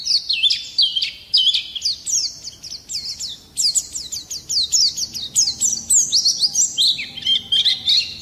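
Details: Continuous jumbled twittering from an Oriental white-eye, fast repeated high slurred notes with brief pauses, a rolling song used to provoke other songbirds.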